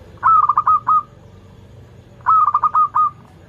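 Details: Melodious local zebra dove song, offered as a lure for zebra doves learning to sing. Two rolling, bubbling coo phrases of about five rapid notes each, separated by two seconds of near silence.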